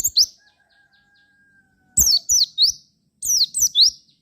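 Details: Javan white-eye lure song to set other white-eyes singing: a brief chirp, a quiet pause with a faint steady tone, then two clusters of three shrill swept notes, descending and rising, in quick succession.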